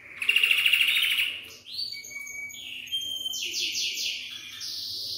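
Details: Belgian canary song meant to encourage young birds to sing: a rapid rolled trill opens, then varied whistled notes and short buzzy phrases at higher pitch follow, ending in a sustained shimmering trill.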